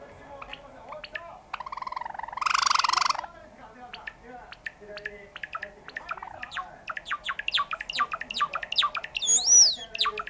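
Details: Pet sakura Java sparrow singing while pecking at hangnails on a person's finger: a long run of dry clicks and short sharp notes, a brief harsh noisy burst early on, then quickening clicks ending in two loud ringing, arched chirps.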